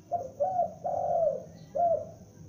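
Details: Young lure spotted dove giving four mellow coo notes in quick succession, the third longest and falling off, against a quiet background.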